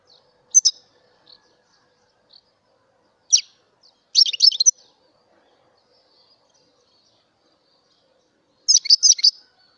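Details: Mutation European goldfinch song, scattered high twittering: single sharp chirps early, then tumbling clusters of tinkling, slightly buzzy notes around the middle, and a final jangling burst near the end.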